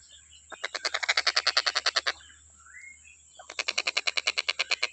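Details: Stork-billed kingfisher, recorded as a tutor for training songbirds, giving two bursts of quick rasping pulses separated by a short rising whistle, against a faint continuous high hum.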